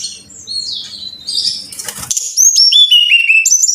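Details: Lure recording of Brown-chested jungle flycatcher song meant to get caged birds singing: after a soft low hum and a brief rustle, a quick run of clear, high, downward-slurred whistles follows one after another, with a few thin very high notes on top.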